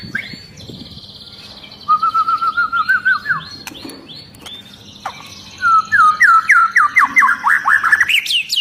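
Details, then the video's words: Agitated long-tailed white-rumped shama in the dense, high 'tembakan' style, spurring other shamas to sing: two runs of rapidly repeated sharp whistled notes, the second rising and quickening, over a faint high hum. "Murai Batu Ekor Panjang Ngamuk Dan Bikin Burung Murai Lain ikut Gacor !!!"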